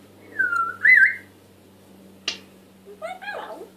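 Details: African grey parrot, a talking pet bird: a clear whistled note sliding down, then a looping whistled phrase, a sharp click, and after a pause a few short voiced, speech-like harmonic sounds indoors.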